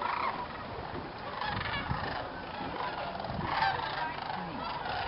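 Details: Thousands of migrating sandhill cranes at dusk, 8 November 2009, Jasper-Pulaski Fish and Game Preserve, Indiana, rising en masse from a viewing field toward swamp roosts, give rolling, bugling calls overlapping in a steady chorus.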